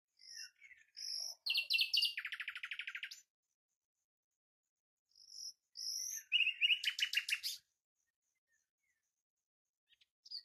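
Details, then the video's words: Twice a Common nightingale delivers the same pattern: soft whistled notes, then a loud rapid rattling trill of evenly spaced pulses, separated by several seconds of quiet. "بلبل هزار دستان آواز"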